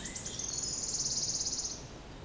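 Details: Wood warbler, dated 06-07-16, delivering the trill of its crescendo song: a few quick high notes run into a sustained, very high, rapidly shivering trill for over a second, then fade; a soft lower whistle from another bird at the start.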